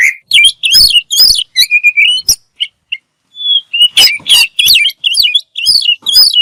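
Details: Oriental magpie-robin tutor song with full isian and tembakan: loud, clipped bursts of harsh chips and fluty whistled notes, a short silence midway, then more rapid varied phrases.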